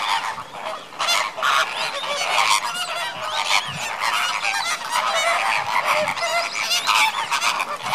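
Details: Greater flamingo flock at Slimbridge in January 2016, active before bedtime: a dense, continuous chorus of overlapping goose-like honks and nasal gabbling calls from many birds, loud throughout with no pauses.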